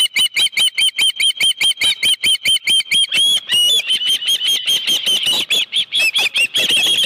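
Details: Osprey calling at its Dunrovin Ranch nest on 25 July 2018, 5:23 PM, with a live fish: rapid, regular high chirps, then a few longer slurred whistles, then a denser, more ragged burst of chirping.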